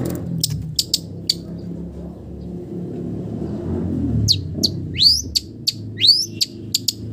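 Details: Long-tailed shrike mimicking village birds: a few isolated sharp clicks, a pause with low rumbling background, then high chips and two upward-sweeping whistles.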